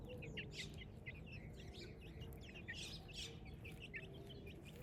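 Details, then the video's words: Village chicks at morning cheeping constantly, thin high notes mixed with a few brief rustly bursts, over a low steady hum. "Cute Chicks Chirping Sounds"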